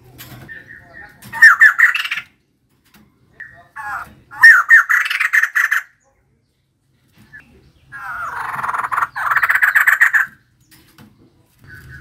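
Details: Three loud bouts of harsh, rapidly pulsed chattering from a female white-crested laughingthrush, each about a second or two long, with quiet gaps between.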